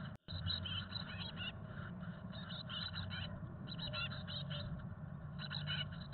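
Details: Chickadee nestlings, hatched May 17, 2022, on day 11 inside a nest box where both parents feed them, with rapid, buzzy, high chattering notes in quick bursts, almost without pause, over a low, steady rumble.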